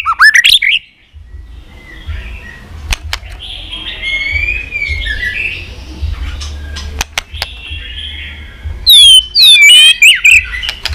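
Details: To spur a young bird into fighting song, a white-rumped shama sings in the líu twittering style: a rising slurred phrase, a long stretch of soft, distant warbling, then a fast burst of loud, looping whistles.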